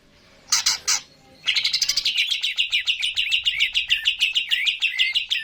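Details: Greater green leafbird singing hard, a cucak ijo lure recording to rouse birds to sing: two sharp loud notes, then a long rapid rattling trill of scratchy repeated notes, slightly falling in pitch.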